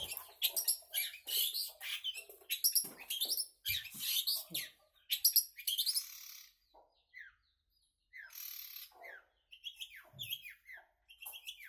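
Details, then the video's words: Long-tailed shrike in full song, a busy rush of scratchy chatter and quick whistled slurs, dense for six seconds, then a pause followed by scattered rising whistles and short harsh bursts. "Burung Cendet gacor sak pole"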